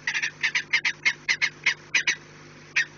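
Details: Short harsh kek calls from a peregrine falcon at the nest on the Orlen site, 4 March 2019 at 16:28, given in an uneven run of about a dozen notes, then a pause and one last note.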